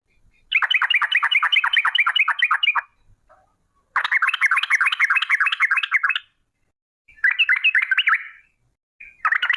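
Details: Long rolling 'ropel' song of a sooty-headed bulbul, used as a lure: extended fast series of bouncing whistled notes in bursts of two to three seconds, with brief pauses between.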